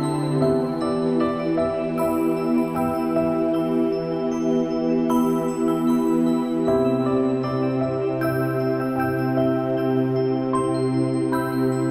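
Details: Soft, sustained new-age music with steady held chords and gentle melodic notes; no animal voices are heard.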